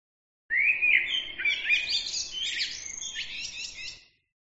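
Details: Lively small-bird song: a fast tumbling run of chirps, twitters and short trills, starting with rising whistles and growing more buzzy and jumbled before stopping abruptly after three and a half seconds.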